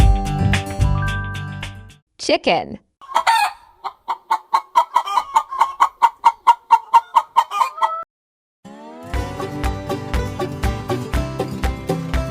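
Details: Farm chicken clucking in a rapid run of short, evenly spaced notes, a clear series of about twenty clucks, preceded and followed by background music.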